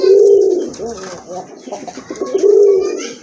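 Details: Low, rolling coos from pigeons in a collection of local and foreign birds at a farm in Gazipur, Bangladesh, one at the start and another after two seconds, with soft murmuring and hiss between.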